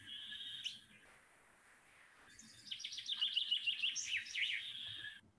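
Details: Common chaffinch song, clear and powerful, running downward in four steps and ending in a little trill; a short note, a pause, then a descending series of rapid notes finishing with a flourish, against faint background noise.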